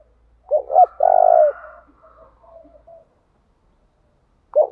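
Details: A spotted dove kept as a decoy, singing continuously to lure wild doves into cooing back. Deep stuttered opening notes run into one drawn-out husky coo, followed by faint trailing murmurs and a new phrase beginning.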